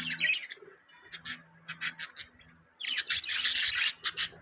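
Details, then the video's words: Budgerigars trading short sharp high chirps and clicks, sparse at first, then a busy burst of overlapping chattering notes. "Budgies Chirping Sound"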